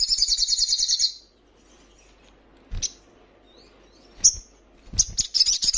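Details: Female little spiderhunter in heat calling a male: a fast high chattering trill ending after a second, then quiet with scattered sharp chips and a brief renewed trill at the close.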